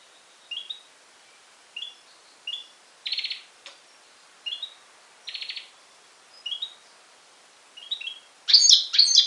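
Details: European goldfinch x canary hybrid recorded on Syros, Greece, in July 2007, giving short twittering phrases: brief rising chirps and buzzy bursts spaced about a second apart, ending in a louder rapid burst.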